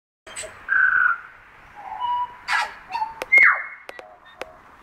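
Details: Tui song of varied whistled notes, some held level and one sliding down, interspersed with sharp clicks and raspy bursts.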